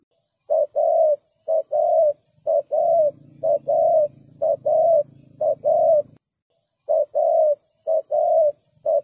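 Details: Spotted dove giving the "thúc gù" coo, used to provoke rival males: low, hollow coo notes in groups of two or three, phrases repeating about once a second, with a faint steady high whine throughout.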